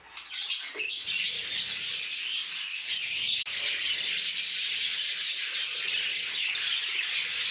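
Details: A breeding colony of Budgerigars chatters nonstop in a dense, high-pitched warble of chirps and squawks from many birds.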